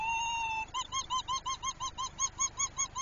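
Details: Northern lapwing pair alarmed over their chick, chasing it away from herons: a long steady whistled note, then about twelve short arched notes repeated quickly, roughly five per second, loud and clear.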